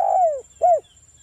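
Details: Lure song of a local spotted dove in the wild 'ngalas' style, meant to make other doves answer: a long mellow coo sliding downward, then a shorter rounded coo after a brief gap.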